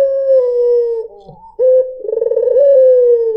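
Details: White Barbary dove lure call: a sustained, level coo tapers away, then after a short gap a crisp note opens a fast rolling trill that melts into a long, gently descending tone.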